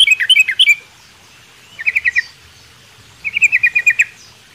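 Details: Sooty-headed bulbul in a small aviary at morning, giving three short bursts of fast, chattering high notes separated by brief silences.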